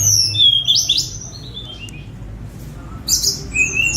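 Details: Free-ranging spotted Sunda robin (tledekan gunung) recorded with a phone for mastering; sharp, bright high whistles and a quick downward-stepping note series, then a fresh burst of piercing notes after a short gap.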